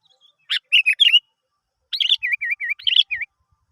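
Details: Sooty-headed bulbul singing as a lure for other birds: a bubbly opening phrase, a pause, then a longer phrase ending in four repeated dipping whistled notes, clean background.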